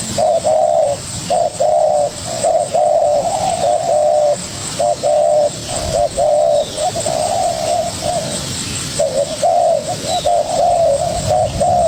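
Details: Young spotted dove calling vigorously in a contest with a decoy bird: low hollow coos in a steady band, short notes alternating with longer drawn coos, nearly one per second, over a constant high hiss.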